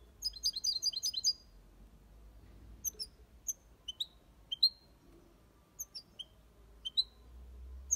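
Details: European goldfinch in an aviary singing in the Spanish copia Malaga style: an opening burst of high, tinkling twitters, then scattered sharp chirps and short rising notes spaced about a second apart over a faint low hum.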